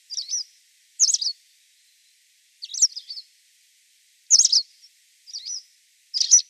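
White wagtail giving short, high, sharp two-note chips, irregularly spaced about a second or more apart, with no other sounds behind.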